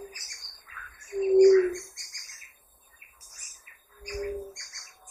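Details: Ruddy quail-dove (pariri) giving a low, hollow, steady coo lasting under a second, repeated about three seconds later more softly, over a constant background of high chirping and trilling birds or insects.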